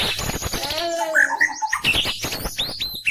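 A White-rumped Shama gives a few clear, slurred whistles and sharp chips in quick succession, over human voices and background music.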